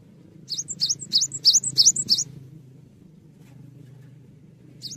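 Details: Cinereous tit, lively song for tutoring songbirds: a clear run of six rapid, loud, high chirps, each dipping and rising with a thin whistle, then quiet apart from a low hum.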